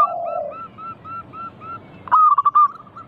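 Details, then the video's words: Local zebra dove used to trigger singing in other doves: a soft, low coo and a row of faint, evenly spaced coos, then one loud burst of fast, pulsed cooing notes near the end. "Pancingan burung perkutut lokal gacor - 100% bikin cepat bunyi langsung nyaut manggung"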